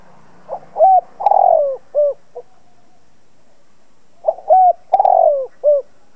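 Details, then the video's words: Spotted dove lure bird calling to provoke other doves; two full coo phrases about four seconds apart, each opening with a short note, then a rising hoot, a long fluttering downward coo and a soft closing coo. "Chim cu gáy mồi cây gáy gọi kích bổi tập mồi căng lửa. Cu đất gáy kích bổi."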